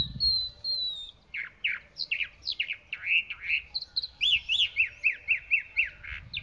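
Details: Chalk-browed mockingbird singing with a long thin whistle at the start, then a run of scratchy, swooping notes that settles into rapid, evenly repeated chirped syllables about twice a second; low rumbling noise in the background.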